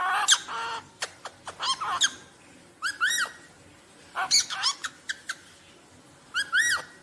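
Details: Rosellas calling: loud, harsh squawks and sharp arched notes in clustered bursts, each group about a second long, repeated every one to two seconds with quiet gaps between.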